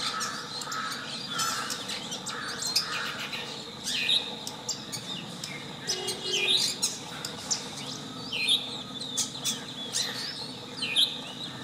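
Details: Long-tailed shrike singing: a scratchy, varied run of short chirps, clicks and sharp high whistled notes in irregular bursts, with a few lower warbled phrases mixed in over a steady background hiss.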